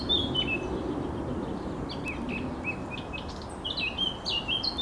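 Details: Singing Eurasian blackcap, 7 June 2023, delivering rapid chattering notes that run into clear whistled warbles, in quick successive phrases over a constant low background hiss.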